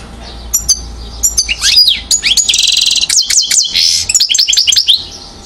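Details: European goldfinch, aged one year, Mouzaia, Algeria, 2012: scattered high chips build into a dense, buzzy trill, then quick down-slurred whistles and twittering notes.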